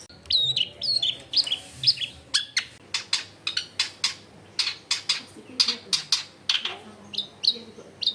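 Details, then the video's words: Long-tailed shrike in full voice, used to prompt quiet shrikes to respond, recorded among crowded houses: harsh, sharp clicking chatter notes rapidly repeated, with a few thin high whistles early on. "CENDET GACOR BAHAN BUNYI ISIAN MELIMPAH CENDET DIAM LANGSUNG NYAUT EFEKTIF CENDET AGAR IKUT BUNYI"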